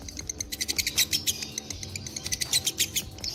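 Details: Short burst of lovebird ngekek from a fighter bird, loud shrill chirps in quick uneven succession, slightly slower and choppier than a full trill.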